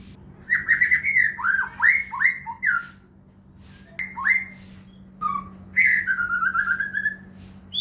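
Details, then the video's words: White-rumped shama lure song, played to provoke other shamas into singing: rapid bursts of rich downslurred whistles, a pause, then a rising whistle and a long descending trilled phrase, with a faint steady hum beneath. "murai batu gacor AMPUH buat PANCINGAN murai batu agar bunyi"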